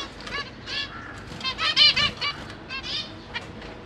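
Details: Caged zebra finch family, parents busy feeding young chicks, with bursts of nasal stacked calls rising and falling in clusters, loudest midway, possibly with some wing flapping.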